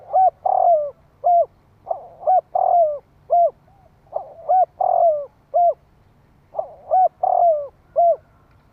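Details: Spotted dove giving a lure call meant to stir up other doves quickly: four phrases of soft, hollow coos, each a short note, a longer burry coo and hooked falling notes, repeated about every two seconds over a faint low hum.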